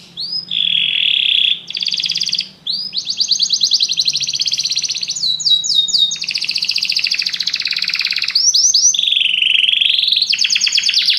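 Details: Continuous canary song from many birds singing together after hearing music: long rolling trills and buzzy tours change speed every second or two, with upswept whistles between phrases, bright and loud throughout.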